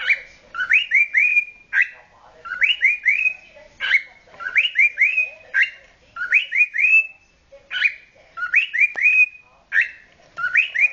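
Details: A 9-month-old male cockatiel courting whistles a repeated phrase of rising, warbling notes about once a second, bright and loud throughout.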